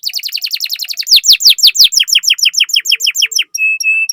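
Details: Canary song used as a lure for other canaries: a fast, rattling trill of short falling notes gives way to slower, louder downward-sweeping whistles. It ends in a flat, steady tone.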